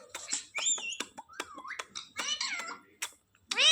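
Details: Talking Indian ringneck parakeet, a home-trained pet, speaking in a high, thin, nasal voice: quick tonal syllables sliding up and down, separated by clicks, ending in a loud shrill harmonic note.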